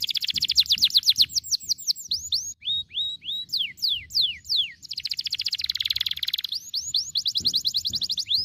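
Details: An actively singing ("gacor") canary gives long, rapid rolls of bright, high notes, broken by slower downslurred whistles, then another fast, buzzy roll.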